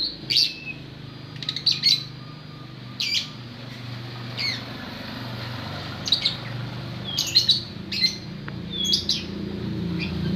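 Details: White-rumped shama giving sharp, high chipping notes and short quick whistled sweeps in irregular bursts, with soft low background rumble throughout.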